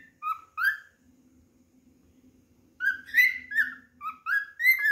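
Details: Pet cockatiel singing while looking for another cockatiel to play with: clear whistled notes, some rising and some slurred, in two bursts separated by a quiet gap filled with a steady low electrical hum.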